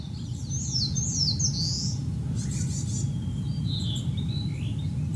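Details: On Mount Rokko in Hyogo, 21 May 2020, a Narcissus flycatcher gives bright rising and falling whistled phrases, followed by a gap and softer whistles, all over a constant heavy low rumble.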